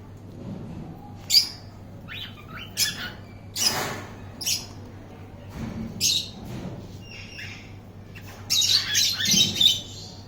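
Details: Healthy captive cockatiels give harsh, high squawks and chirps in irregular bursts, with a steady low hum behind.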